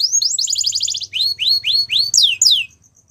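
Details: Belgian canary song for training: a fast trill opening into a series of separate rising whistled notes, then two bright downward-sweeping notes and a faint thin tone fading out.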